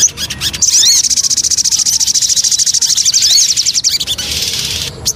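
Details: Javan cochoa giving a lure song: a long, even, rapid trill of buzzy high notes lasting about three seconds, opened and closed by short chattering.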